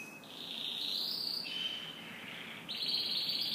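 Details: Canary singing in the morning: sustained high trilled phrases around the upper register, one long rolling trill shifting lower midway, then a brighter, higher trill starting near the end.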